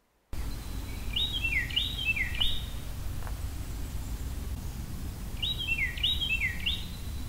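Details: In winter in eastern North America, a Carolina Wren sings two loud bursts of rolling, three-note tea-kettle phrases, each phrase repeated about three times, over a low background rumble.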